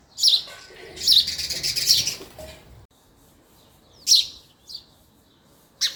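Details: Male house sparrow singing in a busy run of harsh, high chirps over the first two seconds, then single chirps after a short silence.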